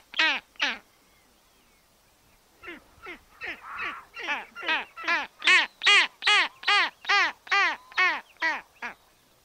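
Arctic skua giving loud, nasal, wailing calls, two opening notes then a run of about twelve rising-falling cries, roughly two per second.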